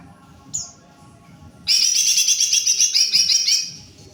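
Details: Greater green leafbird giving one short sharp note, then after a pause a sustained, loud, high warbling trill of quickly repeated rich notes lasting about two seconds, with faint low rumble behind.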